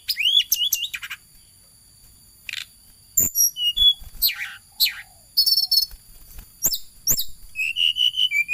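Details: Flowerpecker in energetic song as it chases about: scattered high piercing chips and short downward slides, separated by gaps, ending in a denser burst of thin, slightly buzzy notes.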